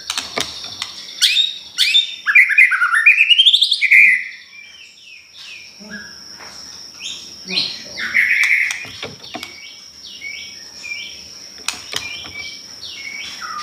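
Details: Lure song of a pastol, meant to make other birds respond: a rapid rising run of chattering notes, then scattered whistled and buzzy phrases with faint insect-like trilling and a steady high tone.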